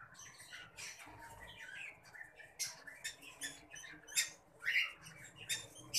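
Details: Pineapple conure parrot chicks giving harsh, raspy squawks in short irregular bursts, several louder high scratchy notes near the end, over a quiet rustling background.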